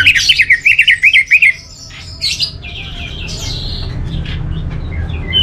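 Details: Orange-headed thrush opening with a rapid run of about ten zigzagging whistled notes, then quieter scratchy warbles and chirps over a low hum.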